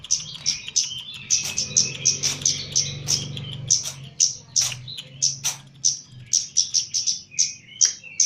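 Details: Caged Javan kemade, the Chestnut-capped laughingthrush, in training: a long, fast series of sharp high chirps, sometimes doubled, over a low background hum and some clattering sounds.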